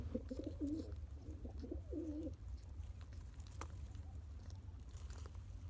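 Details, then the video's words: Pigeon beside a newborn chick being fed by its father, pumping; three short, husky coo phrases in quick succession over a steady low hum, then mostly rustling. "Pigeon Feeding Original Sound"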